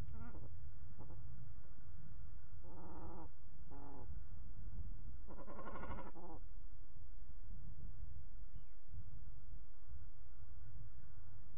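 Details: Cormorant calling at Manton Bay, Rutland, apparently unwelcoming of company: short harsh croaking bursts with stacked tones around three and six seconds, over a heavy steady low rumble of wind or water.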